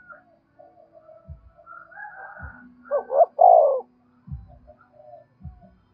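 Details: A single low, throaty spotted dove phrase of two quick notes and a drawn-out coo, used to lure other doves. It is preceded by faint tonal sounds and dull low thumps.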